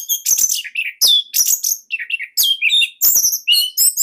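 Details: Caged Bali Orange-headed thrush giving a loud, dense song kept as a training master for other birds: quick succession of shrill whistles, downslurred notes and scratchy chatters with only short pauses.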